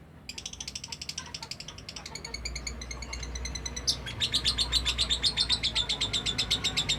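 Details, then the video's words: Lovebird delivering a long-lasting ngekek chatter: steady, very fast, high scratchy notes, about four per second, growing louder midway and running on continuously, with a low hum in the background. "Love Bird ngekek durasi panjang"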